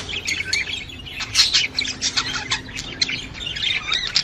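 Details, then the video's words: Budgerigar sound for getting a female to mate: continuous twittering warble of fast, gravelly chirps and squeaks, swelling louder in the middle, with faint low tones beneath. "صوت تحفيز انثى البادجي على التزاوج"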